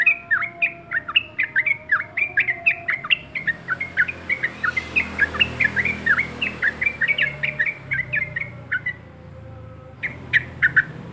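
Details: Diligent yellow-vented bulbul pours out a continuous, fast, bubbly chatter of rising and falling notes for about nine seconds, pauses, then resumes with a few more sharp notes.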